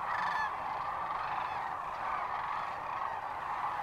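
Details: At Rowe Sanctuary in Nebraska on March 13, 2014, one sandhill crane gives a clear, rolling bugle right at the start, set against a huge, continuous chorus of other cranes calling.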